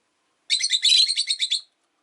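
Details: Pet Rosy-faced lovebirds, five kept in a cage by a window, give a dense burst of sharp, buzzy chirps, rapidly repeated for just over a second, several high notes overlapping before ending abruptly.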